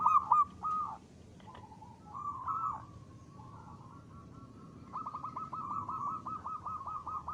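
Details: Local zebra dove singing as a lure for other doves: soft, fluttering cooing notes, first in short separate bursts, then a long run of rapid, evenly pulsed coos, over a hissy background.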